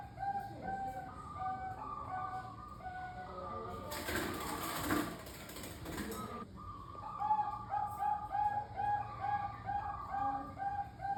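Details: Bangkok-type zebra dove (perkutut) cooing, used as a lure to get pet doves singing: mellow, staccato coo notes in steady runs at several pitches, interrupted midway by a few seconds of loud hissing noise.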